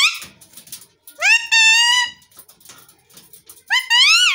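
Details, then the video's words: Talking green parrot giving loud, nasal, harmonic notes: a rising call that levels off and holds for nearly a second, then a rising, arching call near the end, with soft squeaks and clicks between. "Green parrot sound|| Parrot talking"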